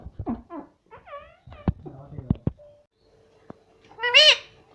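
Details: Indoor talking parrot: a mix of short voice-like syllables and curving harmonic notes, a faint steady hum, then a loud arching squawk near the end.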